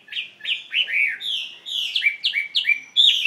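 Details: Chinese hwamei, caged, pouring out a quick string of bright whistled notes, some rising and some falling, ending in clear level whistles and a sharp high note. The song is loud and close, with no other sounds.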